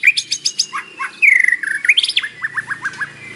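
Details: White-rumped shama singing a morning song full of mimicked fill, played to provoke a captive bird into singing: sharp high chirps, a long slurred whistle falling then rising, then a run of evenly spaced descending notes.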